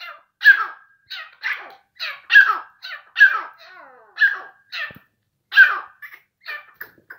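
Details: Grey francolin (Ortygornis pondicerianus), call.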